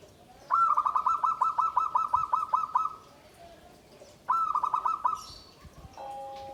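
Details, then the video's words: Zebra dove kept in a bamboo cage, its song described as hard, loud and penetrating: a quick run of about a dozen clipped, mid-pitched cooing notes lasting over two seconds, then a shorter second run, with a faint steady tone at the end. "SUARA PERKUTUT"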